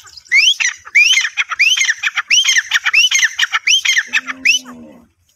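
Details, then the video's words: Grey francolin calling loudly: harsh, rising, ringing notes repeated in quick phrases, about seven in five seconds, ending with a brief low hum. "Best voice of grey francolin | teetar sound,Teetar awaz"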